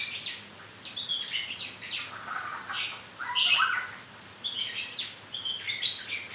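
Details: White-rumped shama in moult delivering harsh buzzy bursts alternating with short whistled and chipping notes, phrases repeated at about one-second intervals.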